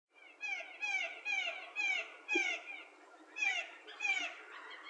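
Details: Blue jays from a small flock in spruce trees on a September 2nd morning, giving harsh, buzzy, down-slurred calls about seven times in quick succession, each rich in overtones, with short quiet gaps between.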